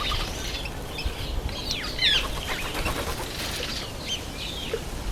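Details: Masked weavers in the September–October breeding season: scratchy, buzzing chatter with quick sliding chirps, several birds calling together in a busy chorus.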